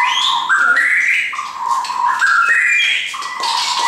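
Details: Captive shamas brought by their owner sing stepped whistled phrases. Low notes climb to higher ones, then drop back, over a faint buzzy upper layer.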